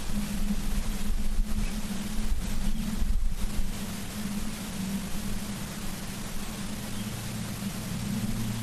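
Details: An evening nest camera in Charlo, Montana, picks up only a steady low mechanical hum under broadband hiss, with no animal calls.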